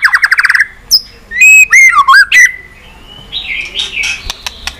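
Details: White-rumped shama singing continuously, used to stimulate low-spirited shamas: a quick burst of buzzy repeated notes, then loud sliding whistles dipping and rising, ending in softer scratchy twittering and sharp clicks.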